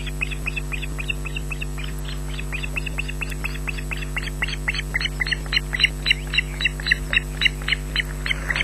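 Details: Smallest osprey chick, #3, shrieks for food on a nest at Loch Garten, Scotland, on 14 June 2012 at 18:40 while its aggressive sibling stays under the female; rapid, regular series of harsh high shrieks, several per second, with steady low hum.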